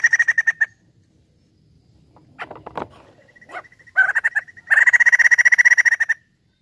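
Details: Crested laughingthrush, locally poksay jambul, singing vigorously as a lure: a quick pulsed chatter, a pause with rustling, a thin whistle, then a long rapid series of harsh, evenly repeated notes.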